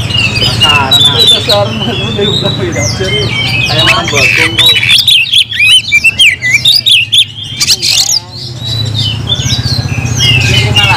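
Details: Kacer, the oriental magpie-robin, in full gacor nagen singing: loud, crowded bursts of sharp chirps, scratchy notes and clipped whistles with short pauses, over a constant low mechanical hum.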